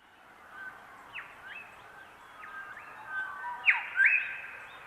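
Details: Grey shrike-thrushes across the landscape during a waning dawn chorus, all synchronised on a newly adopted song phrase: clear, rising whistled phrases ending in a sharp upward flick, sung by several birds at once over a steady hiss.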